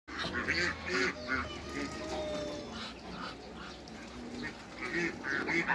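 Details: Hybrid Cayuga and Muscovy ducks meeting in a backyard, giving a busy run of overlapping nasal quacks and short honking calls, several birds calling at once, with faint whistled tones in the background.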